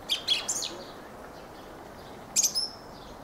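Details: Singing Fieldfare gives two brief clusters of high, squeaky chattering notes mixed with thin whistled slurs, separated by about two seconds of quiet hiss.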